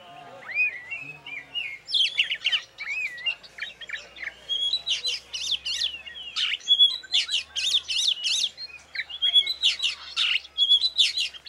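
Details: Champion caged oriental magpie-robin, hung up alone at home, sings a rich varied song: looping whistled phrases near the start, then dense bursts of sharp, high chattering notes and trills with brief pauses between.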